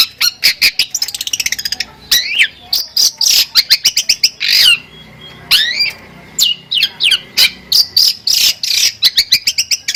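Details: Champion long-tailed shrike pouring out a full varied song: rapid bursts of dry chirps, buzzy trills, rising and falling whistles and harsh notes, continuous and loud throughout.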